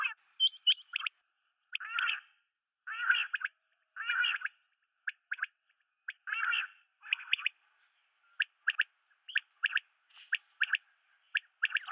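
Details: Batair, the common quail, calling: short sharp notes in tight clusters alternate with buzzy grating bursts, repeated steadily over twelve seconds, with no other sounds.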